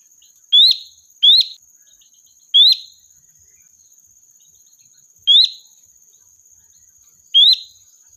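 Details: Sooty-headed bulbul used as a lure to summon the flock: five clear, ringing upswept notes, two close together, then spaced a second or two apart. A steady thin high tone runs in the background.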